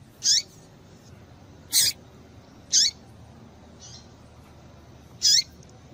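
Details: Female double-collared seedeater call, used to excite males into singing: short high downslurred notes sweeping from about the top of the range downward, given in spaced bursts roughly every one to two seconds over a quiet background.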